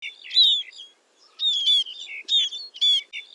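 Scaly-breasted munia giving high, thin chattering calls with short slurred whistles, in four quick bursts over about three seconds; no other sounds stand out.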